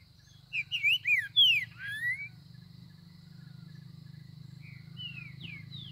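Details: Green-winged saltator singing in the bush: a short phrase of loud, slurred, rising and falling whistles, then fainter whistled notes, over a steady low hum.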